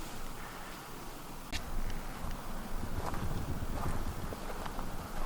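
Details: Low rumbling wind buffeting the microphone outdoors in winter, with a few faint clicks and no animal calls.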